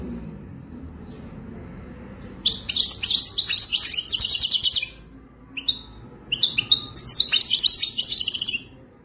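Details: European goldfinch song in the wild style: after a quiet start, two bursts of quick liquid twittering and buzzy trills, with a short whistled note between them.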